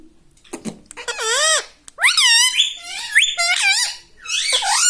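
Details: Pet ring-necked parakeet that talks, repeating Mummy, Papa and Mitthu, produces a dense run of wavering, rising-and-falling squawky syllables, strung closely together like rapid chatter.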